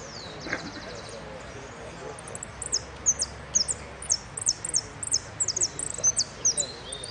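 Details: At the Merlo singing contest final, Amarillo Completo category, 13 01 13, a hooded siskin opens with a fast high trill, then gives a steady series of sharp, slurred chirps about twice a second, over low voices.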